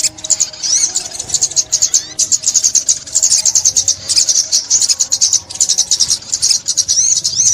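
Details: Sunbird, 2021 trapping recording: a fast, shrill twittering song of tight high chirps and looping whistles, running almost without a break for the whole stretch.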